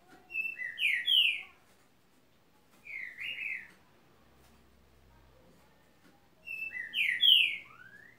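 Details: Green-winged saltator singing: three loud whistled phrases, each a few rich slurred notes rising and falling, repeated roughly every three seconds with quiet gaps between.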